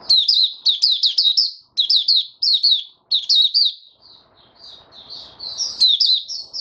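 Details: Male white-eye in a cage, steadying his singing form: quick high chattering phrases in short clusters, then softer, sparser whistled notes near the end over faint rustle.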